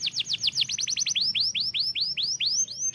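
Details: Canary singing a fast series of rising whistled chirps, first quick and tight, then slower upswept notes about four per second; other canaries respond to it.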